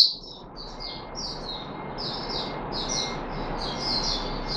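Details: Red-whiskered bulbul (Puteh Raja) in captivity, 13 April 2021. A softer, more distant run of slurred whistled notes continues steadily over a noticeable background hiss.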